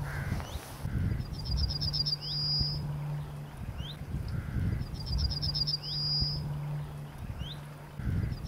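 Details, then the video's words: Yellowhammer (Emberiza citrinella) singing in Scotland, heard on a walk: a rapid run of short high notes ending in a longer drawn-out note, given twice about three seconds apart, over a steady low hum and wind rumble. "The Yellow Hammer singing"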